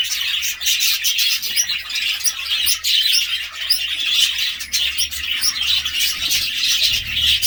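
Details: Budgerigars chattering nonstop, a dense mix of high warbles, chirps and short squeaky notes from several birds overlapping, with a steady low hum running underneath.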